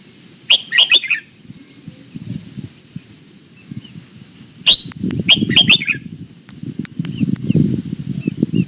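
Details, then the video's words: Red-whiskered bulbul in morning voice training, singing the old-forest double-note style. Two rapid bursts of high whistled notes come about four seconds apart, followed by scattered soft chips over low rustling and rumbling. "Luyện giọng cho chào mào hót sáng, ép chào mào hót âm kép già rừng hay tuyệt!"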